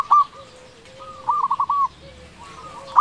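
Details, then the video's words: Local zebra dove, an eager loud caller used to tempt lazy doves into singing: sharp opening notes, then a brief burst of quick stuttered coos, with a soft lower drawn-out coo between phrases. "Perkutut lokal gacor suara besar cocok untuk pancingan perkutut yang malas bunyi"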